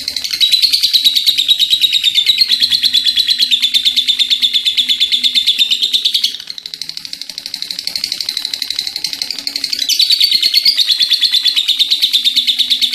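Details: Lengthy ngekek chattering from a vocal lovebird: fast harsh pulses about three per second, loud for six seconds, softer in the middle, then strong again; low steady hum underneath.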